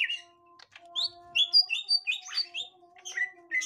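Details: Green leafbird, gotri type, meeting a young wild bird of its kind: scattered sharp whistled chirps and upward-flicking notes at varied pitches, irregularly spaced, with a faint constant hum beneath.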